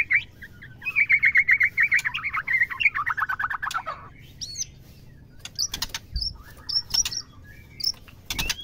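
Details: Female white-rumped shama mating call, used to excite males: a loud rapid trill about four notes per second falling gradually in pitch, followed by sparse high whistles and sharp clicks.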